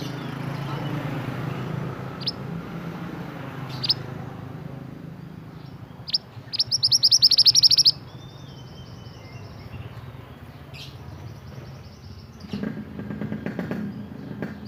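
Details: Energetic song of the mantenan, an Indonesian bird: scattered sharp single chirps, then a rapid dense trill of high notes for over a second, followed by thin drawn-out whistles, with a low background rumble.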